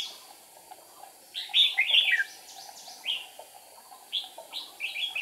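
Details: Trapping decoy red-whiskered bulbul singing to provoke wild rivals, 8 April 2019: a loud cluster of liquid, warbled whistles, followed by repeated short rising chirps and softer phrases over faint background calls.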